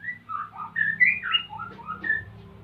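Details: Male white-rumped shama in breeding condition wanting to mate, Salaman, Magelang, Central Java; softer run of mellow whistled notes gliding up and down, over a steady low hum.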